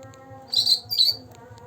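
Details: Green leafbird, a two-month-old bird already singing, used to prompt birds that rarely sing: two short, bright, high chirps about half a second apart, each slightly buzzy, over a faint low hum.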